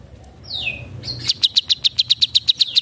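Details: Long-tailed shrike in full song imitating other birds: a descending buzzy slur, then a steady run of about twelve sharp high notes repeated roughly every eighth of a second over a low hum.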